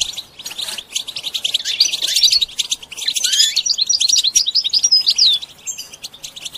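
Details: Goldfinch song in a training context: rambling liquid twitters and fast chirps build in intensity, with a few downward-sweeping notes and a thin whistle near the end.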